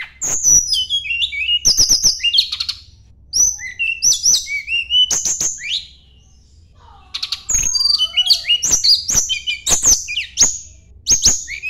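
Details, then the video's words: Sunda blue robin in full song while seeking a rival: repeated phrases of high whistles, quick trills and sharp clicks, broken by brief pauses, with one lower warbling note midway. "kicau tledekan gunung mencari lawan"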